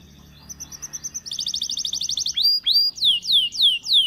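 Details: The song of a Belgian canary, meant to get other canaries singing. Soft evenly spaced pips build into a dense rapid trill, then give way to loud rising notes and long descending sweeps, each about a third of a second.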